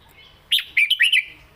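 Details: Caged red-whiskered bulbul singing a southern-style song phrase known as 'met ka jik hok': one bright, quick burst of four or five warbled, bouncing whistled notes lasting under a second, after a brief quiet start.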